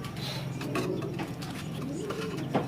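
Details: Pigeons kept in a loft of quality racing birds, with a low, rolling coo rising and falling through the clip against steady room noise and a few clicks.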